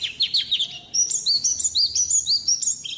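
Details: White-eye singing at high pitch: quick descending chips at first, then a run of sharp, thin, upslurred whistles repeated about three times per second in a lively chattering stream.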